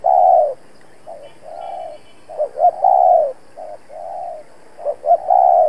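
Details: Spotted dove kept as a decoy, cooing to draw and challenge wild males: alternating soft mid-pitched coos and louder phrases of two quick notes plus a sustained coo, steady background.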